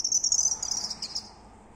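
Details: Unidentified bird singing in the night at three o'clock after returning close by: a rapid, very high, thin trilling run that fades toward the end.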